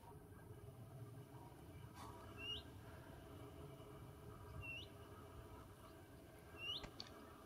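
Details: Willow warbler in Kennemer dunes woodland, Netherlands, mid-September migration, gives three soft rising 'hoo-eet' calls about two seconds apart over a steady low rush of wind.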